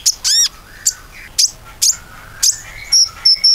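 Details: Common iora calling, played to entice other birds to sing: a looping downslurred whistle, then spaced sharp high chirps about every half second with soft lower warbles between.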